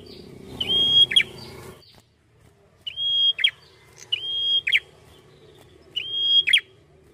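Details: Small red-headed prinia in lively song. A brief noisy burst opens, then three clear phrases follow, each a level piercing whistle closed by a rapid buzzy flick, spaced about a second apart.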